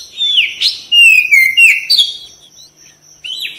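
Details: Kacer, the White-rumped shama, in a sound-therapy recording meant to make a bird respond and sing heavily with tail spread; high whistled phrases slurring down, sharp chips, and a steady high tone running underneath.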